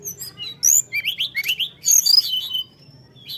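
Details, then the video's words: Short burst of Bali myna song: bright rising and falling whistles with harsh chattering overtones, delivered in a quick run, then a fading high note; soft low hum behind. "SRDC BALI GACOR"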